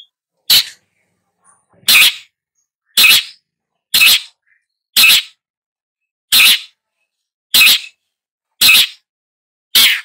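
Long-tailed shrike giving nine short, harsh, rasping notes, about one a second, in an otherwise quiet setting.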